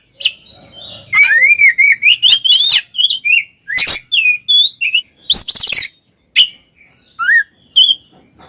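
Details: Oriental magpie-robin song in the ngeplong style from a twin pair, used as a lure for mute birds. A fast string of bright whistled notes and upslurs mixes with rasping bursts, nearly continuous, with a faint low hum beneath.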